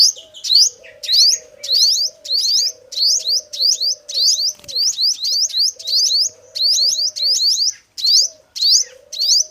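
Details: Male sunbird, called the five-coloured sunbird locally, singing as a trapping lure: about sixteen sharp, high, upward-sweeping chirps over nine seconds, nearly twice a second, above a low, steady humming tone.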